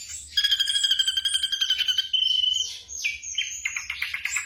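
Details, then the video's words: Black drongo song used to train caged birds at night, a long, ringing, rapidly pulsed whistle held steady for about two seconds, followed by sliding whistles and a fast stuttering trill. "TERAPI SRIGUNTING MALAM HARI"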